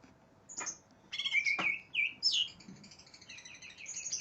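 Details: Aggressive greater green leafbird seeking an opponent sings a run of clear slurred whistles, some rising and some falling, followed by softer overlapping chatter.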